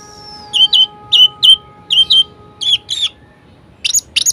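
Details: Orange-headed thrush singing loud, clear, slurred whistled notes in short pairs, with a steady faint electrical hum underneath; a high sweep opens the phrase.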